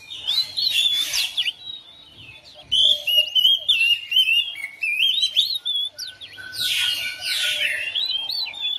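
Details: Domestic oriental magpie-robin answering another bird: varied whistled phrases with sliding notes in three bursts, broken by short, loud, noisy rushing sounds.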